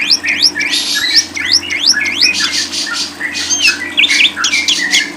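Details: Lovebird song for masteran tutoring: rapid chattering strings of rising slurred notes, with brief squeaky whistles between bursts and a low steady hum underneath.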